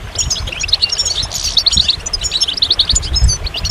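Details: Goldfinch twittering in quick repeated phrases of high, sharp chirps and short trills, evenly paced and lively, over a faint low hum.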